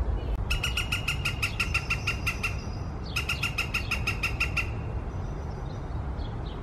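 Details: Morning woodpecker delivering two long runs of rapid, harsh, evenly spaced squawks, each run roughly ten notes, over heavy low-frequency background noise with faint distant chirps.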